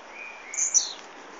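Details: Blue-black grassquit giving one short, very high buzzy burst that rises sharply and then drops away, lasting under half a second against a quiet hiss.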